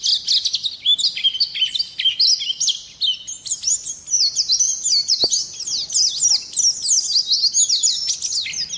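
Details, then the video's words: White-eye song: a rapid, continuous stream of high, thin twittering and chirped notes, tumbling and overlapping without pause across the whole recording, with a single brief click near the middle. "kicau burung Pleci"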